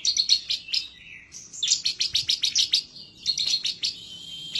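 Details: An excited bar-winged prinia calls out for a rival, song used for training other birds: fast chattering runs of high, clipped notes, broken by a short lower whistled slur, the bursts following one another almost without pause.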